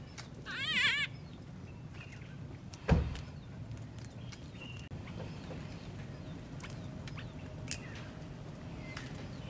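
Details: Crowned hornbill in Skukuza Camp's parking area, Kruger National Park, on the morning of 23 June 2021, tearing up and eating aloe leaves and unbothered by people nearby: one brief quavering whistle, then a dull knock, over background hiss.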